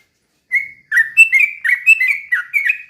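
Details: Sooty-headed bulbul slow rapid-fire song, played to provoke other bulbuls into singing: after a brief silence, a long whistled note opens a tumbling series of quick bright, slightly burry notes at a fairly even pitch.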